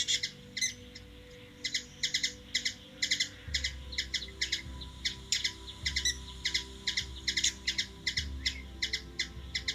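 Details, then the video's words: Hummingbird in Washington DC, USA, giving a long series of sharp paired chips at a brisk, uneven pace, with repeated low rumbling bursts in the background during the second half. "Hummingbird | Bird noise"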